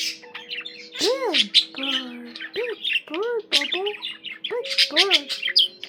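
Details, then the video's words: Singing pet budgerigar giving chattering, scratchy chirps mixed with clear arched whistles that rise and fall, each about half a second long, with faint steady background tones. "Peaceful, relaxing budgie sounds for your bird"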